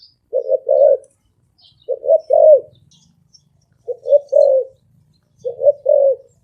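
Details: Deep-voiced spotted dove cooing in the fast 'ồm vang' manner: four low double-noted phrases roughly 1.7 seconds apart, the second note longer and falling at its end, over a faint low rumble.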